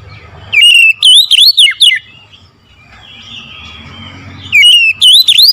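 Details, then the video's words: Singing oriental magpie-robin in the morning, pouring out loud rollercoaster whistles in a quick burst of about five notes, a softer drawn-out warble, then another lively burst. "OCEHAN KACER DI PAGI HARI"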